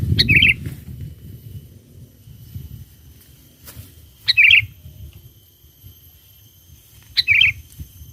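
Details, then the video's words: Lure song of a lively sooty-headed bulbul meant to draw wild bulbuls: three brief chirping, bubbly phrases spaced about three seconds apart, with a soft low background murmur throughout. "Pikat Burung Kutilang Gacor Memanggil Kutilang Liar"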